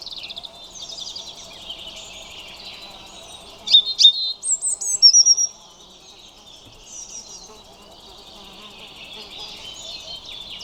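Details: A European robin sings a brief, bright phrase of piercing high notes and twittering trills near the middle, amid softer continuous high warbling and faint low background noise.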